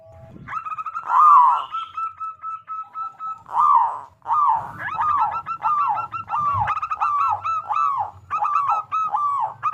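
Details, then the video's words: Loud local zebra dove song, used as a lure to get other zebra doves singing: clear cooing notes near one pitch, then a run of arched, rolling coos repeated about every half second. "Perkutut Lokal Gacor Suara Besar Pancingan Burung Perkutut Agar Cepat Bunyi"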